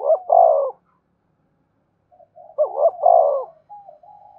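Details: Spotted dove cooing meant to draw wild doves in: a loud burry coo phrase, a pause of about two seconds, then soft notes leading into another strong rolling coo and a trailing softer coo.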